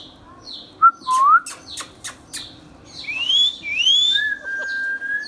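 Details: Pet ringneck parrot producing pure whistles: a low rising note, then several sharp clicks, followed by two long upward-sweeping whistles and a steady level tone at the end.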